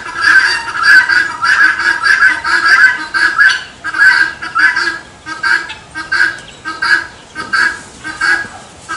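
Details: Helmeted guineafowl giving its "tô fraco" call, known as the capote's song: harsh, grating two-part cries repeated in a steady rhythm about every half second to second, with overlapping voices and no other clear sounds.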